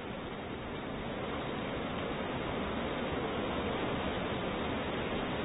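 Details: Only a steady, even hiss of broadband noise fills the recording throughout, with no animal calls.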